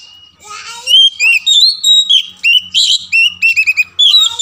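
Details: Kacer, the Oriental magpie-robin, singing to stir silent birds into song: varied rich whistles and rapid warbled phrases in a dense continuous stream, with faint low knocking sounds underneath.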